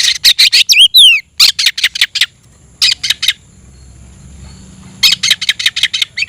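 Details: Caged oriental magpie-robin singing to call a rival to fight: rapid sharp notes with two sweeping whistles, a pause, then more quick trains of clipped chips.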